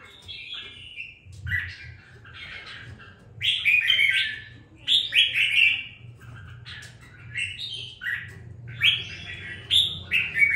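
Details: Young caged red-whiskered bulbul after two weeks of care sings a run of lively whistled phrases, bright slurred notes in quick bursts separated by short gaps, with a faint low hum behind.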